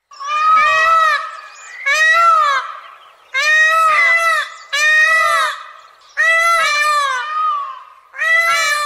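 Indian Peafowl giving loud, wailing, nasal cries, six in about nine seconds, each rising then sliding down, with quiet gaps between.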